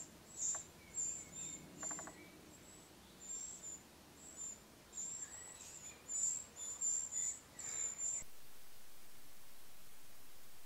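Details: Eurasian wren nestlings at the nest during feeding give very high, thin, squeaky begging chirps in irregular bursts for about eight seconds, with a few soft clicks and quiet background hiss.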